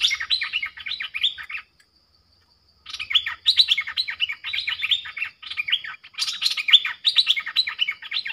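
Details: Streak-eared bulbul used as a lure bird, with wild birds giving sub-dok and rik calls, produces long runs of fast scratchy chirps, broken by one short silence, the phrases crowding and overlapping; faint low hum behind.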